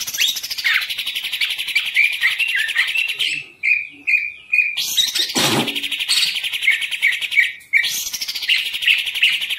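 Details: Caged green leafbird, a contest hobby bird kept by a keeper dealing with a bird that somersaults in its cage, singing a continuous rapid high chattering warble with sharp chips and trills, a short pause near the middle, and one loud knock.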